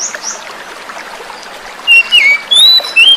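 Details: Wild-caught oriental magpie-robin singing as a lure to prompt silent birds into song; after soft trickling water, a burst of loud, clear whistled phrases that slide and jump between notes fills the last second and a half.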